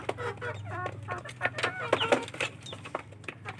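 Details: Kampung chicken chicks competing at feed: scattered cheeps and soft clucks, several sliding chirps, over sharp tapping of beaks and a constant low electrical hum.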